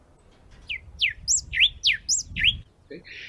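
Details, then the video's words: Yellow cardinal, a threatened species heavily persecuted for its song and illegal trade, played back in a talk: a phrase of about six clear, sharply falling whistled notes, some with high overtones, over a soft room hum, ending with a brief low sound. "Este es el canto del cardenal amarillo. ¿Sí?"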